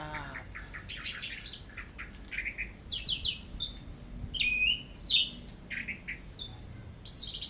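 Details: Teler-style song of an orange-headed thrush for masteran training: a rapid mix of buzzy downslurred notes, bright upswept whistles and sharp chips, delivered in irregular bursts against a quiet background.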